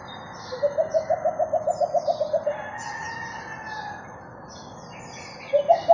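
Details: Two Philippine coucals meeting, January 21, 2021: a long rapid series of around fifteen deep hoots that rise then trail off, a pause, then another bird begins a fresh hooting run; faint high chirps in the background.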